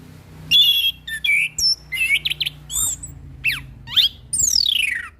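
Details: Orange-headed thrush, an established singer tutoring a young bird, delivers loud buzzy notes, sharp rising and falling sweeps and a long descending slurred phrase over a constant low background hum.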